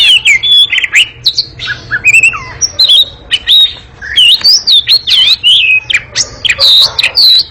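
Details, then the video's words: Oriental magpie-robin pouring out a long, very noisy ngekek chattering song: dense scratchy chatter bursts woven with looping high whistles and quick twisting notes throughout. "Kacer ngekek panjang sangat gesit dan berisik"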